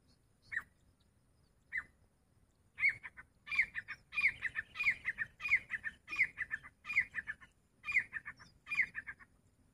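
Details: Grey francolin, locally called teetar, calling: two isolated notes, then a loud rhythmic run of high, sharp upslurred notes, each trailed by stuttering lower syllables, repeated about every three quarters of a second against a quiet background.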